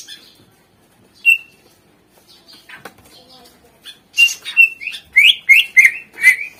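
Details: Greater green leafbird singing in a recording used to prompt reluctant cage birds to sing: a lone clear whistle, then a quick run of sharp whistled notes rising and falling, about five in two seconds.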